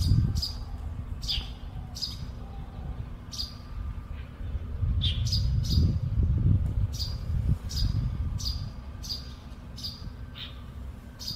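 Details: Two Russet sparrows in Baihe District, Tainan, on 8 March 2022, giving bright, clipped chirps in quick irregular series, about four per second at times, over a steady low rumble of traffic.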